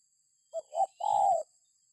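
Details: Single cooing phrase from a spotted dove, recorded as a lure to set other birds calling: two quick low notes then one longer, slightly falling coo, with a thin steady hiss in the background.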